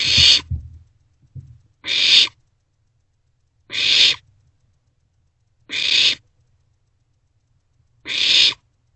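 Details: Barn owlets in a nest box at night sharing a vole, 27 March 2024; thumps and scrabbling open, then five breathy hisses spaced about two seconds apart.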